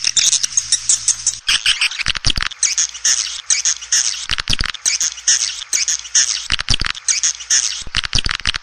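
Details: Calls for luring swiftlets into their house: busy, high, rattling twitters in bursts separated by short pauses, the chatter dense and harsh, with a faint low rumble early on.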